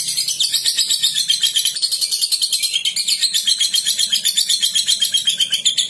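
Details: Lovebird singing a long ngekek in the ngetik style: a dense, unbroken high chattering trill of rapid buzzy notes pulsing about four times a second, sustained without pause, with no other clear sounds.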